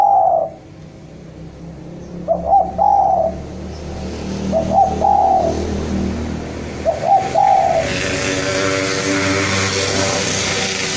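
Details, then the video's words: Javanese spotted dove in full, lively voice, calling a rival and used to train young birds to call often: low, mellow cooing phrases repeated about every two and a half seconds, with steady traffic noise in the background. "Derkuku jawa gacor memanggil lawan"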